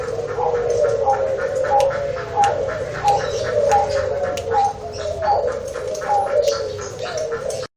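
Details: A zebra dove, described as no ordinary local bird and having a big voice, gives a steady run of low, rhythmic staccato coos at roughly one note every half second. Faint room noise and clicks are audible.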